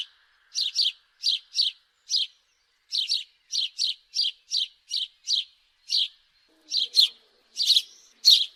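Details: House sparrow chirping steadily, short high notes in singles and pairs, a few louder sharper chirps toward the end.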